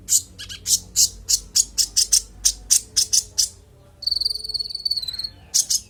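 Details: Konin (Van Hasselt's sunbird) singing a clear, varied song: a fast series of sharp, very high clicking notes, then a sustained thin buzzy trill lasting about a second and a half, then more high ticks.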